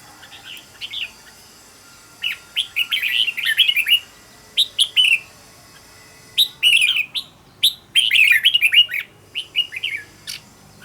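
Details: Red-whiskered bulbul song played to teach a bird: repeated runs of rapid, bubbly whistled notes in several bursts, the final bursts fuller and denser.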